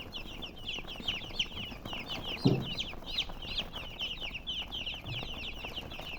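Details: Chicken chirping: a dense chorus of many high, downward-slurred chirps, overlapping in fast runs, with a brief low thump near the middle.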